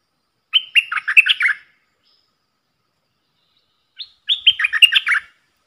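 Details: Red-whiskered bulbul decoy bird repeating its song, meant for young birds to learn and to lure wild bulbuls: two quick chattering-warbled phrases of about eight notes, about three seconds apart, in clean silence.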